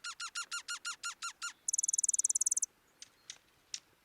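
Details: Dark-eyed Junco contact call, two birds calling back and forth: eight sharp, down-slurred notes in quick series, then a fast, very high twittering trill and a few scattered ticks; thought to carry a slight alarm-like feel.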